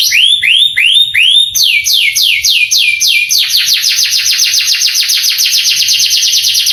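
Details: Long canary song used to rouse young canaries into singing: four slow rising-then-falling whistles, then a series of quicker down-sweeping notes, settling into a rapid, even, rolling trill that continues to the end.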